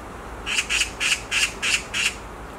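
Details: Black magpie on a tree branch utters six evenly spaced, grating screams, each brief and harsh, in a regular series.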